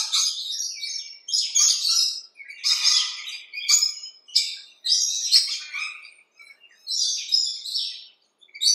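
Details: Rainbow lorikeets in a backyard screech in harsh, noisy bursts about once a second, each a rough burst of chatter with short silent gaps between.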